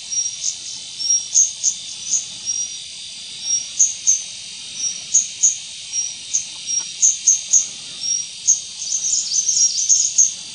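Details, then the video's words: White-gorgeted Flycatcher (Anthipes monileger leucops) calling at Doi Ang Khang, Thailand, on 24 March 2017: very high, thin drawn-out whistles alternating with sharp short ticks, given in quick irregular runs over a steady high hiss. "White-gorgeted Flycatcher calling"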